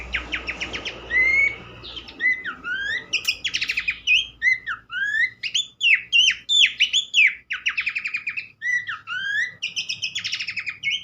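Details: Long lively run of Horsfield's Babbler song: dense chattering trills, sharp upslurred whistles and squeaky notes with almost no pause, over low background noise, in a recording used to make other babblers sing.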